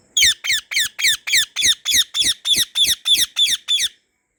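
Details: White ringneck parrot in a garden giving loud harsh screeching calls, thirteen in a fast steady series about three per second, each a rasping downward-sweeping squawk.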